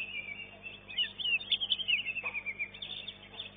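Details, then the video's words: Second-placed greater green leafbird at a caged singing contest: a long high whistled phrase slurring downward, broken into rapid pulsed notes, amid faint background hum. "CUCAK IJO"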